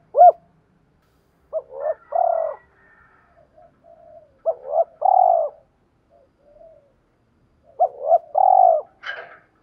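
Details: Lure spotted dove of the 'giọng thổ' voice type, cooing to spur rivals: an opening single hoot, then three low phrases of short notes and a drawn-out purring coo, with soft murmurs between and a brief higher sound at the end.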